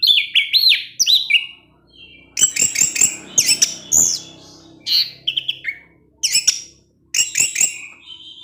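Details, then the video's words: Teler ngecip ngecis singing by a caged orange-headed thrush: rapid, busy phrases of looping whistles and crisp chips, repeated in bursts separated by brief gaps. "ANIS MERAH SUSAH BUNYI PASTI NGEPLONG DENGAR SUARA NGECIP NGECIS TELER INI"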